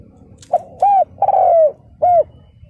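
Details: Decoy spotted dove calling to draw in wild males: a brief note, an arched coo, a long falling buzzy coo, then a final arched coo, loud against a low murmuring background.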